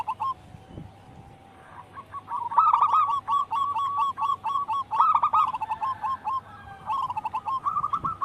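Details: Lively song of a local wild-type zebra dove, used for training other birds: after a quiet start, rapid repeated coo notes build into rolling phrases that continue to the end.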